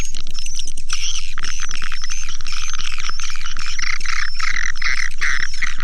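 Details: Lure sound for attracting swiftlets. Rolling, buzzy twittering chirps come in bursts, growing into louder clustered chirps near the end, with a constant low throbbing beat four times a second underneath.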